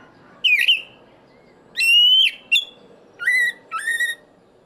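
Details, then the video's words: Loud song of a black-breasted oriental magpie-robin (kacer dada hitam): rich, clear whistled phrases, some sliding upward and some held steady, coming in short bursts separated by brief pauses. "Kacer Dada Hitam Dengan Suara Lantang"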